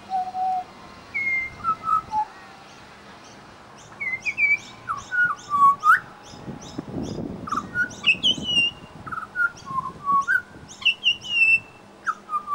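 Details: Suburban Brisbane Pied Butcherbird mixing mimicked local sounds into its song: slurred whistles at first, then a busy stretch of quick, high chirps and twitters with rising and falling notes, over a faint low hum.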